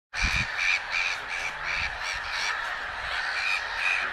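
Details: Black-headed gull giving harsh, rasping, nasal calls in quick succession, about two to three per second, each broad and buzzy with a strained tone, over faint low rumbling.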